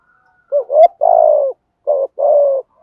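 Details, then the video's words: Decoy spotted dove singing to lure other doves: a loud two-part rising lead-in and a long throbbing coo, then a short note and another long coo, with a faint click. "Chim cu gáy mồi có giọng gáy hay và bài bản, kích bổi nhanh nổi và gáy nhanh"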